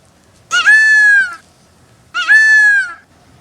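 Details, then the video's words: Peacock calling loudly: two loud, nasal, wailing cries, each under a second long, rising sharply then holding steady, about a second and a half apart, in an otherwise quiet setting. "Peacock sound (Full HD), Peacock calling loudly, Mor ki awaj"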